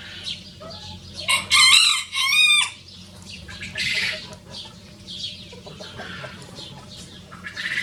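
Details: Two free-ranging Rosecomb bantam roosters, a very small show breed, crowing in a duet: a loud harmonic crow in two strained bursts near the start, then fainter rustling and scattered noise.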